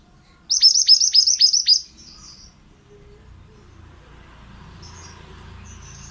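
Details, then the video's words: Male pied bushchat, vigorous song used as a training recording for other birds: a fast series of about seven piercing, falling whistled notes, followed by low steady background hum. "BURUNG MANTENAN GACOR"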